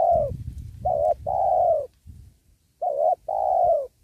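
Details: Lure spotted dove cooing while wild doves are trapped near a sacred tree. Loud paired coos, a wavering short note then a sustained falling one, over low rustling and thumping.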